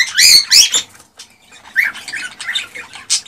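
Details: Cockatiel, a male singing excitedly to stimulate a female to mate; loud harsh squawking notes open the clip, then a gap and a run of quieter chirps and short warbled notes.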